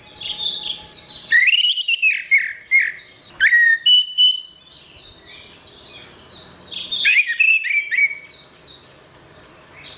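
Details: Orange-headed thrush in gacor song, for use in training other birds. Loud runs of rapid whistled notes and slurs come in several bursts, against a continuous layer of high, scratchy chirping.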